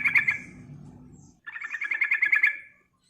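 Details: Yellow-vented bulbul in energetic 'ngerol, ngeriwik' song, used as a lure to draw other birds: a brief chattering phrase, a short pause, then a fast bubbling run of bright notes lasting over a second.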